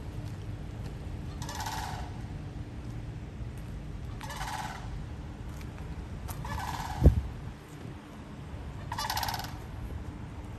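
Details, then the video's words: Florida sandhill cranes calling four times, about every two and a half seconds: loud, rattling, trumpet-like bugles with a rough rolling quality, heard over steady low-pitched background rumble and a single sharp knock. "Florida Sandhill Crane Bird Call"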